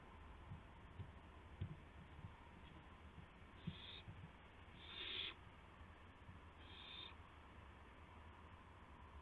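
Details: Owl at 2:51 AM on April 2, 2016, arriving with a gopher for its mate: three harsh, hissing bursts about half a second long, roughly every one and a half seconds, over steady low background hum.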